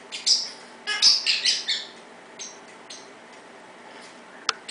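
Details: Captive parrot in an evening chirping session at 6pm: a burst of high, thin chirps early on, then quieter, sparser notes and a sharp click near the end.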